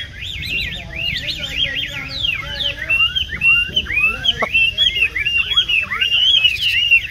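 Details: Chinese hwamei, a tame cage bird with yellow legs and bill, kept for café display: rolling looped whistles at the start, then a run of varied clipped, slurred notes and a single sharp click.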